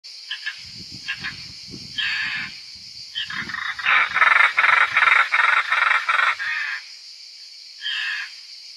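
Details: European roller at a nest in Italy as the young fledge, the fifth flying out; harsh, rasping calls in rapid series of short bursts, building to a loud run of evenly spaced notes, with a steady high insect hum and rustling beneath.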